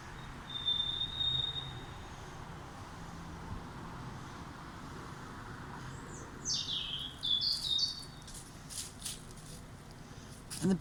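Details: A daytime bird sings around 11–11:30 pm on a summer night: a thin high whistle, then a burst of quick, varied high chirps and trills over steady low traffic rumble.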